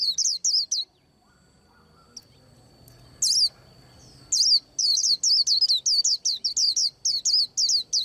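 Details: While preparing to moult, a white-eye sings short runs of high, downward-sweeping chirps, pauses, gives a lone note, then launches into a long, quick, steady sequence of twittering notes.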